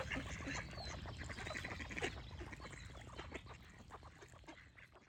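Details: A chorus of duck quacks, rapid and overlapping at roughly three per second, slowly fades toward the end, with faint bird chirps above.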